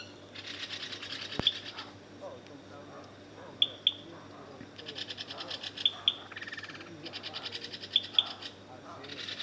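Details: Common green magpie in Khao Yai National Park, Thailand, giving sharp, high whistled notes in pairs about every two seconds, over pulsing bursts of insect buzzing.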